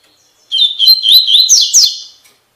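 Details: Tui Tui Fibra song of a double-collared seedeater, played to train caged birds: a rapid run of clear whistled notes, wavering up and down, then two bright rising sweeps and a fading buzzy tail, about two seconds long.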